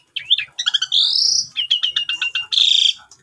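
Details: Javan pied starling singing, a morning lure for silent birds recorded on a phone: quick run of high whistled notes, a long rising whistle, rapid clipped chattering, ending with a harsh buzzy burst.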